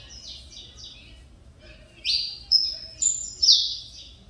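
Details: A caged Mineirinho Saffron Finch, son of a runner-up champion, coming back to song after nearly two years of feather problems. Soft chirps at first, then four loud, buzzy descending notes about half a second apart.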